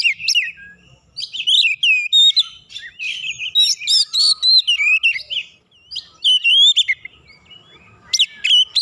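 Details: Heated White-rumped shama rival singing its full repertoire when provoked: dense run of varied whistles, sweeping slurs and sharp chips in loud bursts, with a short silent gap midway.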